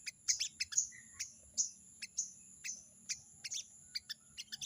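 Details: Crested jay chattering 'crecet crecet' at a rival: a fast, uneven series of dry clicks and harsh rasps, some doubled, continuing throughout, against a faint low hum and steady high tone.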